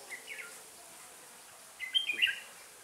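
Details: A decoy red-whiskered bulbul in a trapping setup gives a soft, quick whistled phrase, then after a pause a louder, fuller burst of bright, warbling notes.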